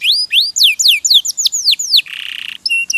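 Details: Caged canary singing a training song: loud, clear whistled notes sweeping downward, about three per second, followed by a buzzy sustained trill and brief high chips.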